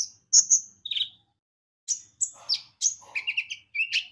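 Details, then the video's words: Brown-throated sunbird, known as konin, singing as a lure for other birds: piercing high whistles and chirps, then a descending run of short trilled notes, in a quiet setting. "Pancingan Kicau burung konin gacor"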